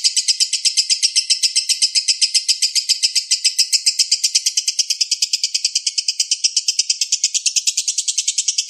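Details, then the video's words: Balibu (young) lovebird tutor recording with dense, long bursts of song: a rapid, continuous chatter of high, buzzy notes, about two per second, pulsing steadily for nine seconds with a slight shift in tone midway. "MASTERAN LOVE BIRD BALIBU"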